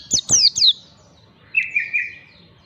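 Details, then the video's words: Ngalas-style white-eye training lure: three high, sliding-down whistles in quick succession, followed by a lower, softer warbling trill that wavers and fades. "pancingan pleci belajar ngalas"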